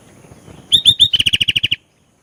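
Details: Lively singing Sooty-headed bulbul delivering a varied phrase: three rising, slurred whistles, then a quick string of about eleven even, ringing notes ending abruptly.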